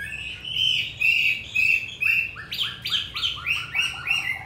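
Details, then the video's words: Wild-voiced song of a tame caged Hwamei from Hanoi, Vietnam: rich, loud whistled phrases give way to quick repeated notes that step downward, about two per second. "Họa mi 5633b đẹp giọng rừng hay mau mỏ"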